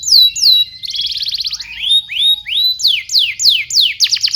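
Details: Canary singing for young canaries to learn from: sharp falling whistles, a quick rattling roll, then rising and falling swooping whistled notes repeated about three times a second.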